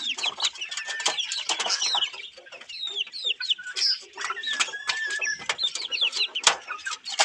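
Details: Australorp chickens seeking food from a hand, rapid clucks mixed with short rising and falling whistled peeps, a brief quieter spell around the middle.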